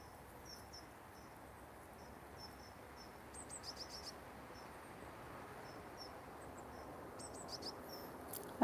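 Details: Wild coal tits at a garden feeder, tolerant of people close by, give thin, very high-pitched notes, repeated every half second or so, with two brief buzzy trills, over a steady outdoor hiss.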